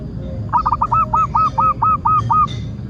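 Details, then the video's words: Zebra dove of a local strain singing as a lure to trigger song in other doves: a steady series of about ten evenly spaced, rolling coo notes, each a short descending hook, over a low background hum. "Perkutut loka gacor pancingan agar burung perkutut BUNYI dan GACOR"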